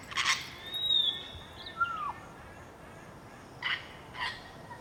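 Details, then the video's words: Grey parrot (Psittacus e. erithacus) at Entebbe, Uganda, January 2025, giving harsh squawks mixed with a long high whistle and a short falling whistle, with a faint hiss of background noise. "Perroquet jaco (Psittacus e. erithacus) Grey Parrot"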